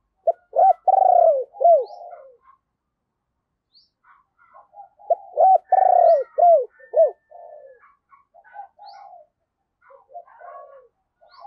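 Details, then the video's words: Decoy spotted dove in thúc and gáy calling to lure wild birds. A rhythmic phrase of loud, arched coos is repeated twice about five seconds apart, each trailing into softer murmured notes. "Chim Cu Mồi Thúc Và Gáy Gọi Bổi"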